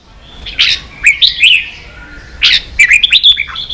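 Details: Red-whiskered bulbul singing competitively in a cage, with sharp loud chirps followed by liquid, slurred whistles, a pause, then another strong burst of bright notes and trailing warbles.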